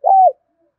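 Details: Single short mellow coo from a spotted dove, level then slightly falling, used to lure and train birds, ending in quiet.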